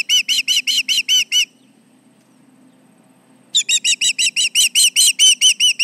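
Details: Osprey on its Charlo nest, 11:30 am on July 29, 2019, giving alarm calls at nearby intruders: a string of high, piping whistles breaks off, two seconds of quiet follow, then an intense, slightly harsher string resumes.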